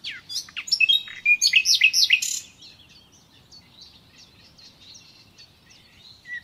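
A nightingale sings a fast, loud burst of varied chirps and whistled notes, then trails off into softer, quicker twittering phrases.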